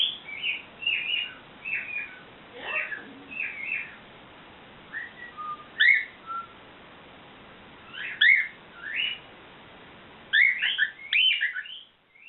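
A cockatiel gives bright, warbled whistles and chirps in short, irregular bursts.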